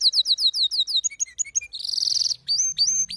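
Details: Short burst of excited male canary song: quick repeated slurred notes, a fast rattling trill, then drawn-out bright whistles.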